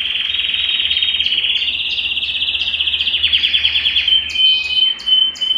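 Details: Belgian canary song meant to warm up a cold canary: a long sustained high buzzy trill with fast pulsing, ending in short sharp whistled notes and a clear ringing tone.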